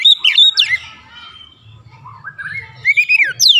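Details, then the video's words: White-rumped shama song used as a lure to provoke other shamas to sing: loud bursts of sweeping, slurred whistles rising and falling between phrases, with quieter gaps and faint low rumbling underneath. "PANCINGAN KACER ANTI BISU mancing Kacer lain cepat emosi dan gacor"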